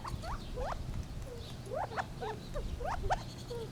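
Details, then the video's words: Gambel's quail giving soft, scattered calls: short upward-sweeping notes and low clucks, loose and irregular, with a steady low hum underneath. "Funny Sounds of the Gambels Quail"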